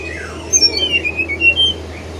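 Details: Brown-chested jungle flycatcher singing a rapid sequence of sweet, pure whistled notes that fall and then lift slightly, about a second long, over a low steady hum.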